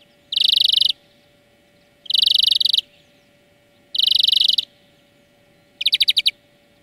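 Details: European greenfinch training song: dense rolling trills about half a second long, repeated every one and a half to two seconds, the last burst a slower, more separated rattle of distinct notes.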